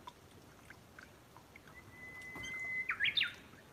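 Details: Brown-eared bulbul at a garden feeding spot lets out a harsh, shrill burst of three rapid rising-and-falling squeals near the end. A steady thin tone and quiet outdoor background are heard before it.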